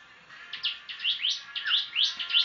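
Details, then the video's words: Tame, actively singing prinia giving a quick series of sharp, high chirps that rise and fall, some slurred upward, repeated several times a second against a faint steady background hiss. "Prenjak Gacor Jinak"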